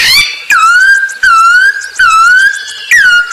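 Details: Masked laughingthrush song used as a lure for other birds: loud, sustained whistles that dip then rise, repeated about every three-quarters of a second.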